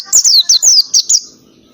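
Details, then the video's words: Oriental white-eye, ngalas song with canary phrases: a tight string of six piercing whistles, each sliding from high to lower pitch, then fading to quiet. "PLECI NGALAS,TEMBAKAN KENARI SUPER RIBUT"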